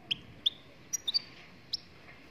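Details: Moroccan European goldfinch singing: six short, high, clipped chirps spaced irregularly over about two seconds, some with a brief sliding tail, against a quiet background hiss.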